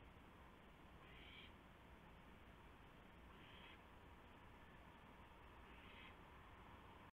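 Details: Owl at its nest at 1:00 AM on March 24, 2016, as prey, a gopher, is delivered; three short harsh hissing bursts roughly every two and a half seconds over steady background hum.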